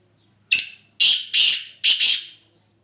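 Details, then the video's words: Black francolin, known locally as kala teetar, in Sindh, Pakistan: a loud harsh grating call of about five rasping notes in quick succession, the first longer, the rest in two close pairs, against a quiet background. "Kala Teetar"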